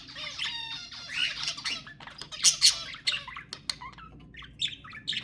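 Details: Budgerigars chatter in a busy, scratchy warble of rapid chirps, squawks and clicks, with sharper squeaks every second or so; these sounds are played to stimulate budgies to breed.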